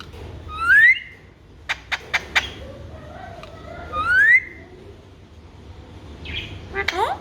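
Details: Alexandrine parakeet, a talking pet bird in Pakistan or India, giving rising whistled notes twice, with sharp clicks between them and a short squawk near the end.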